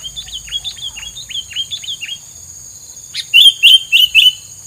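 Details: Songbird filler song used against rival birds: a string of quick downward-slurred whistles, then four loud sharp chirps in an even row, with a constant high hum behind.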